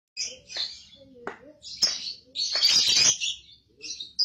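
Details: Young lovebird in a lure recording meant to provoke ngekek chattering: scattered high, harsh chirps and short squeaky notes with brief rasping bursts, separated by quiet gaps.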